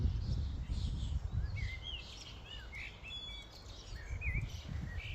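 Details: Common starlings flocking at a feeding station give slurred whistles that rise and fall, plus thin high notes, over strong low rumbling noise.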